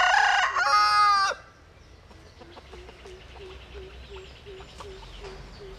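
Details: Bantam rooster, a cross of a Japanese hen and a Cuban cock, crowing vigorously: one loud harsh drawn-out crow, then a quieter series of short clucking notes about twice a second over background hum.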